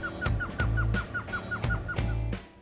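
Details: Blue-crowned Trogon (Trogon curucui) song in Amazonia: a quick, even run of about ten short, mellow, downslurred notes, over low background music and a thin, steady high insect whine.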